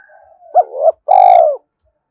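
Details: Spotted dove decoy call for provoking males: a soft lead-in murmur, a quick rising coo, then a sustained, throbbing, downward-sliding coo with a brief bright ringing overtone at its start.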